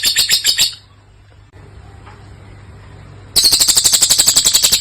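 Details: Lovebird song of the long-duration kind: a short burst of rapid shrill chattering, then about two and a half seconds of near silence with faint background hum, before loud fast pulsed chatter resumes.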